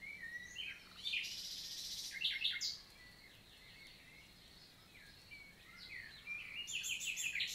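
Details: Common nightingale in daytime song, Célé valley, Lot, south of France, June 2023, summer morning in countryside forest; bursts of loud buzzy trills and sharp rising whistles separated by quieter background birdsong.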